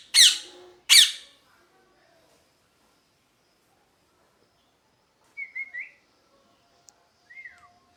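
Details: Parrot calls: two loud harsh squawks close together, a pause, then softer whistled notes rising and falling, and a short descending whistle.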